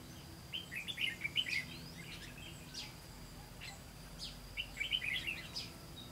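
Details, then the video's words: At a bulbul trap that failed to spring on 18 September 2016, a red-whiskered bulbul sings two bursts of rapid, tumbling chirps about four seconds apart. A man remarks afterward. "Bẫy chào mào"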